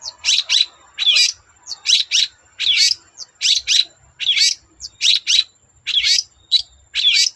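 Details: Long-tailed shrike, singing to draw other shrikes into song, repeats high, slurred double chirps about twice a second in a steady, lively rhythm.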